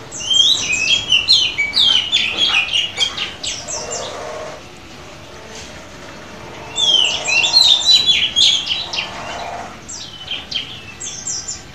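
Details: Midday song of an auctioned Oriental magpie-robin from Semarang, Indonesia: two long bursts of fast, varied whistles, chirps and trills separated by a short lull, with a few faint high notes trailing at the end.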